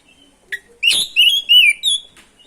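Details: Oriental magpie-robin singing energetically, a lure meant to provoke other magpie-robins: a sharp click, then loud clear whistled notes sliding and wavering at high pitch, ending in a faint chip.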